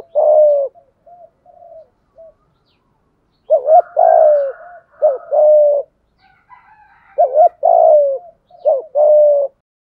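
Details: A spotted dove kept as a decoy calls to attract wild doves, delivering its full set of calls. Deep cooing phrases, stuttered double notes and long falling coos, come in quick succession, with soft higher chatter behind.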